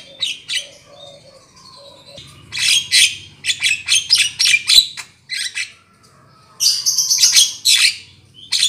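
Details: Black-winged myna (Acridotheres melanopterus) lure calls: harsh, scratchy chatters and squawks in quick irregular bursts, high and noisy, with a few brief pauses between runs.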